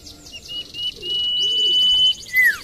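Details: Common iora whistling a long, flat, high note, then a clear downslurred ending. Buzzy rattling chirps and soft low warbles sound behind it.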